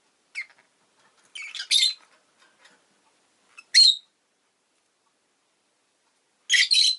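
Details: Captive rosy-faced lovebird chirping in sharp, shrill bursts: a faint note, a paired harsh chirp, a single loud squeak near four seconds, then a final doubled burst after a quiet pause.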